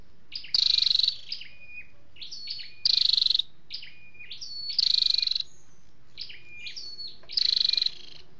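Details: Male and female flowerpecker calls used to lure wild birds: four harsh, rapidly pulsed buzzy bursts, each about half a second, separated by thin high whistles and descending flicks.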